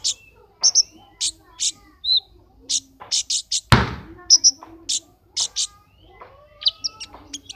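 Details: Brown-throated sunbird (Anthreptes malacensis) named Kumbang, competing in an online contest, giving bursts of very high, sharp chips and brief trills, several each second, with one loud thump and softer lower whistles behind.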